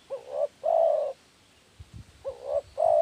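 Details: Spotted dove lure call, meant to draw doves day and night: soft, low coos in paired phrases, two double-notes about a second apart, then a pause and another pair, with a faint thump between.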